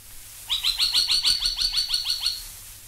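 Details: Spine-tailed Logrunner giving a run of about a dozen loud, sharp, evenly spaced high notes over two seconds, slightly slurred downward.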